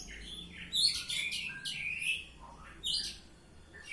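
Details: Oriental magpie-robin in loud ngeplong singing: dense, high scratchy and whistled phrases at the start, then a descending slurred whistle, a short lull, and fresh bright bursts.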